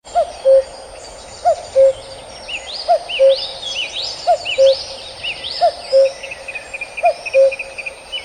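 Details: Male common cuckoo giving six soft two-note cu-coo calls, a higher first note dropping to a lower second, repeated about every 1.4 seconds, with busy high chirping from other birds overhead.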